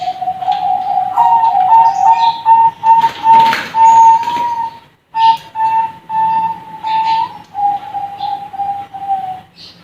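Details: Young Bangkok-type zebra doves at a bird farm: steady mid-pitched cooing broken into rapid rolling pulses that rise slightly, a short pause near five seconds, then more pulsed cooing, with faint chirps above.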